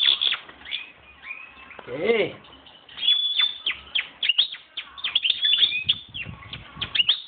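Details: Hand-raised 2011 European goldfinch coming into breeding condition sings a busy, tinkling twitter of high chirps, slurred whistles and rattly bursts; a man's voice interrupts briefly near the start.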